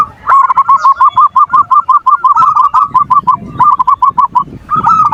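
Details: Perkutut (zebra dove) singing its manggung lure song, meant to make lazy doves call and excite opponents; a long, fast run of bright, evenly pitched cooing notes, nearly three per second, broken by short gaps.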